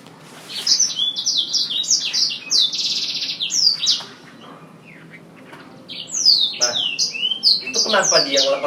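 A Chinese hwamei sings loud, rich, fast phrases of clear whistles and slurred notes, high and varied, with brief pauses and faint indoor voices behind.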